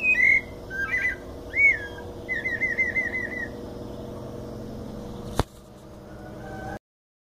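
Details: White-necked thrush, mateiro song style, São Paulo: a few whistled slurred phrases and a quick trilled run of repeated notes, then steady low hum with one sharp knock before going silent.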